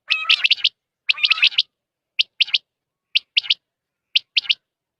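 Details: Quail call used for hunting: sharp three-note phrases, each a quick triplet of high bright notes, repeated about once a second; the first two phrases sound fuller and rougher, the later ones cleaner and thinner. No other sounds.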